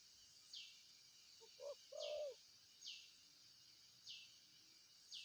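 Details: Spotted dove uttering one short phrase: brief low hoots leading into a fuller, drawn-out coo. A high, falling chirp repeats roughly every second in the background.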